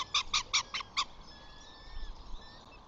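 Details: A flamingo on 14 June, at a site with chicks, gives five quick nasal, goose-like honks in about one second, then falls quiet; faint outdoor background noise.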